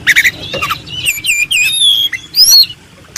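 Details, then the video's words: White-rumped shama contest bird singing master song, a fast warbled run of slurred whistles and trills rising and falling, opening and ending with short harsh notes. "MASTERAN SUPER MEWAH‼️JUARA KONTES.NO1"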